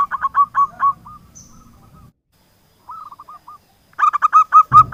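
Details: Local zebra dove singing, recording meant to lure silent doves into song: rattling series of quick coos with a low rumbling noise beneath, a quieter trill mid-way, then a loud burst of coos ending in a thump.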